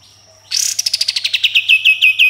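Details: Sooty-headed bulbul with a coarse 'besetan' rasp leading into 'tembakan' shots. A grating buzzy burst breaks into a pulsed rattle, and its notes slow and drop into clear, repeated downslurred whistles.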